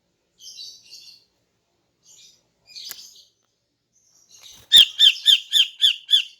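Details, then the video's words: Female greater green leafbird singing in the morning to attract males: scattered soft, high twitters, then a sudden loud run of six sharp chirps at a rapid, regular pace. "KICAUAN CUCAK IJO BETINA PAGI HARI"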